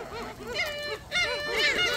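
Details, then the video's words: A noisy flock of gulls at Sinjindo, Seosan, gives overlapping, nasal, arched squawking calls in rapid succession, with no pause in the clamour. "이런 시끄러운 갈매기는 처음이야"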